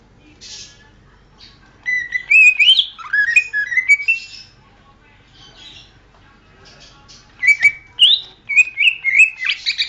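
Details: Greater green leafbird song for training songbirds, with bursts of bright whistled and slurred notes mixed with sharp chips, a quieter pause in the middle, then another lively run of varied phrases.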